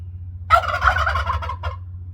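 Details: Wild turkey on Orcas Island, late April 2024, where turkeys come up to a patio and roost high in trees; one rapid, rattling gobble just over a second long, with a short trailing note, over a steady low hum.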